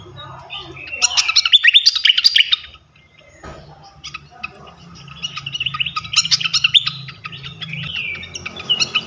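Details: Flycatcher song played to provoke other flycatchers. Two dense bursts of high, scratchy chirping and rapid ticking are split by a short lull. Soft low droning runs under the birdsong.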